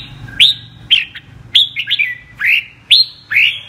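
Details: Red-whiskered bulbul, apricot-coloured (mơ) form, in double-voice (giọng kép) song: six loud upswept whistled notes spaced roughly half a second apart, some with a trailing second note.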